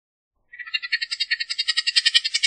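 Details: Bullock's oriole giving a harsh, dry chatter: rapid buzzy pulses, roughly eight a second, that swell steadily louder over two seconds against a silent background.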